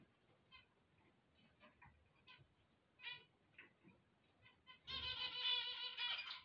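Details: Zebra finches singing on waking: scattered short nasal, harmonic notes repeated at irregular intervals for about five seconds, then a louder, dense buzzy burst of stacked tones through the final second and a half.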